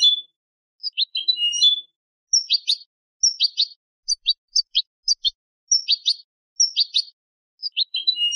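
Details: European goldfinch hybrid song for tutoring young birds: scattered, varied twittering notes and short chattering bursts, delivered in separate spaced phrases about every second, with no other sounds.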